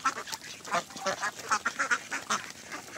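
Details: Mandarin ducks, mallards and Pekin ducks on a pond, a burst of loud overlapping quacks and nasal calls packed closely together from several birds.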